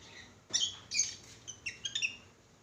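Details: A pet lovebird gives a quick run of about six shrill, squeaky chirps and squawks over a second and a half, high and harsh, against a quiet room.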